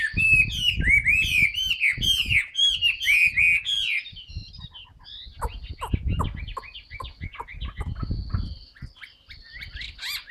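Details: Fan-tailed singing from a caged Chinese hwamei: loud, rapidly repeated rising whistles for about four seconds, then quieter scattered notes and a thin sustained tone over low knocking sounds.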